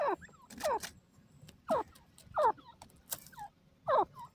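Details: A desi grey francolin calls between loud broadband rustling or flapping bursts, its short falling notes spaced by quieter gaps.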